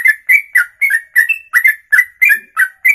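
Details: Ropelan song from a bird singing in one long breath for over two minutes: loud, fast chain of paired whistled notes, each slurring down, about three to four per second without pause.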